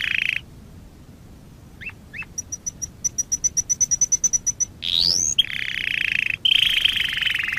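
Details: Canary song played to train young canaries: short whistles, a regular series of thin high notes, then a rising sweep and sustained warbling trills.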